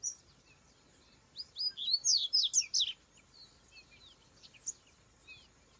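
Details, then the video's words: Wild rusty-collared seedeater singing outdoors: a rapid run of bright, high chirps and slurred whistled notes lasting about a second and a half, followed by scattered faint single chirps against a soft hiss of ambient noise. "Coleiro cantando na natureza"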